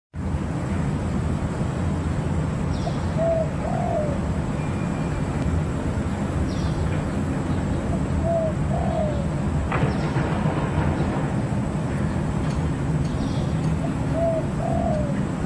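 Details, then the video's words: A spotted dove gives soft, low cooing phrases, repeated about every five seconds, over a steady low rumble with faint high chirps from another bird. "Voice of Spotted Dove"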